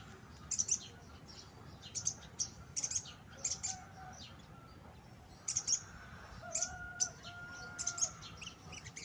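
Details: Sunbird, bought in poor condition and kept in captivity, beginning to sing after two days of care: short bursts of very high, thin chirps come in clusters every second or two, with a few faint steady whistled notes lower down.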